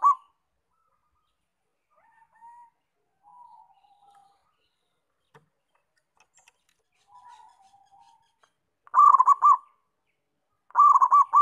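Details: Local zebra dove (perkutut) singing actively: soft, low, falling coo notes spaced by long silences, then two loud, rapidly stuttering trilled coo phrases near the end.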